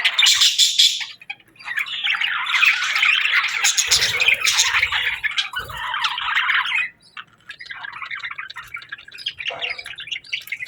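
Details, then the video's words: Budgies whistling in the afternoon in bursts of rapid squeaky chirps and warbles, broken by short pauses and a couple of low thumps, quieter and sparser toward the end. "Budgie Afternoon Whistles"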